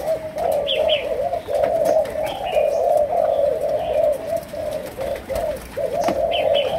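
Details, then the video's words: Continuous low cooing from a spotted dove of Malaysian origin, 'sấm đồng' style 'chiêu gù'. Phrases swell and break briefly near five seconds. Scattered higher chirps come from other birds. "Cu Gáy Malaysia, Chiêu Gù. Sấm Đồng"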